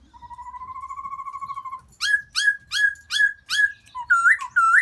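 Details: Black-throated laughingthrush calling for a new mate in spring: a steady, slightly wavering whistle held almost two seconds, then a run of five harsh, nasal, downslurred notes about half a second apart, ending in quicker twanging notes, indoors.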